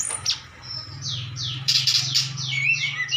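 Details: Cucak cungkok bulbul in full, lively song: a run of clear, high whistled notes, several sliding downward, then faster twittering phrases, with a faint low hum beneath.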